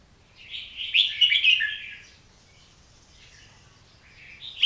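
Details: Oriental magpie-robin giving one dense, rapid phrase of tumbling whistled and chattering notes, followed by near silence and a faint, soft warble before a sudden sharp note at the end.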